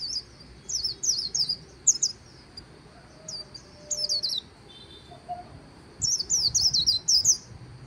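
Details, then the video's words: White-eye by the Kỳ Cùng river, Vietnam, giving short bursts of three to five high twittering notes separated by pauses, over a low background hum. "VÀNH KHUYÊN HÓT LÍU/ 10 PHÚT CHIM VÀNH KHUYÊN LÍU BÊN BỜ SÔNG KỲ CÙNG RẤT HAY"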